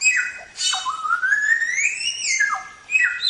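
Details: Black-throated Laughingthrush song, a training recording for songbirds: a long whistle rises slowly and smoothly, broken by sharp downward slurs at the start and end.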